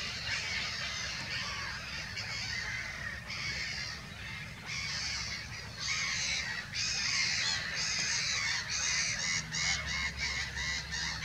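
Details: Black-headed gulls at Monikie: a flock giving harsh, broad-band squawking calls in irregular bursts, growing more frequent toward the end, over steady low background noise.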